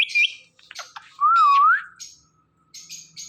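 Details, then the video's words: A talking pet ringneck parrot makes a short high chirp, rasping notes, then a long wavering whistle rising at the end, followed by a few soft hissy squawks. "Talking Ringneck Parrot Making Sounds"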